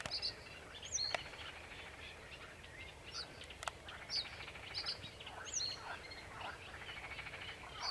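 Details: Sedge warbler singing on 28 June 2021 alongside another bird; high, clipped whistled notes and short chirps scattered through the clip over dense, scratchy chattering, with a steady outdoor background hiss.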